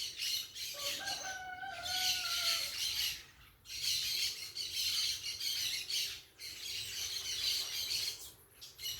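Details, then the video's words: Noisy parakeets: a steady wall of shrill squawks in bursts, with a clearer drawn-out tonal whistle near the start and brief pauses between waves. "som da natureza com periquitos fazendo barulho"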